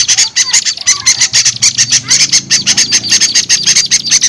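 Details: Lure call meant to attract small birds that are reluctant to come down, heard as fast, insistent high chips in bursts, roughly a dozen sharp notes per second, with a faint low hum beneath.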